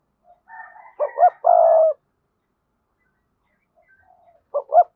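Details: Spotted dove used as a decoy, with a strong 'thúc'-style voice. Soft warbled notes lead into a loud double note and a sustained coo. A quiet pause follows, then another sharp double note begins. No other sounds.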